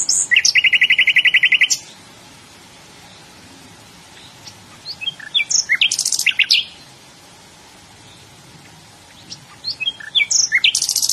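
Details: Nightingale singing in bursts: a fast even trill of repeated notes, several seconds of near silence, then a short jumble of sharp high notes and buzzes, another pause, and a final rapid high phrase.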